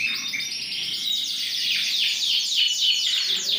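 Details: Yorkshire canary with ring 20, large and in strong song, dated 28.01.2021: an unbroken, bright, high trill of quickly repeated slurred notes, rolling on for several seconds.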